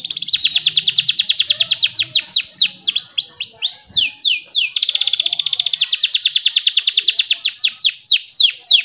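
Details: Energetic canary song meant to tutor young canaries and stir quiet ones into singing: long, rapid high trills alternating with quick arched sweeping notes, brief pause mid-phrase, then another sustained fast trill; clean background.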